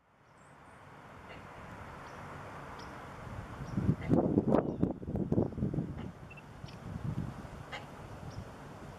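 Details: Great blue heron quietly vocalizing on 10 February 2019 at Turtle Pond, Central Park, New York City: soft, low, guttural croaks in a rough burst lasting a few seconds, with faint high bird notes and a steady outdoor hum behind.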